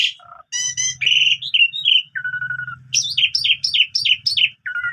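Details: Vigorous morning singing by an Asian pied starling packed with imitated phrases: short harmonic notes, warbled whistles, a long low buzz, then a rapid run of about eight repeated falling chirps, with faint low hum behind.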